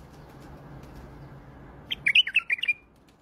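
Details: An Iraqi white-eared bulbul gives one quick, bubbly phrase of five or six liquid, slurred whistles, under a second long, after a stretch of low background hum.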